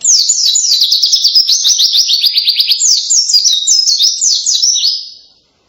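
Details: Loud white-eye song said to resemble a canary: a fast, continuous run of high, sweeping trilled notes, about three per second, steady then more varied, fading at the end.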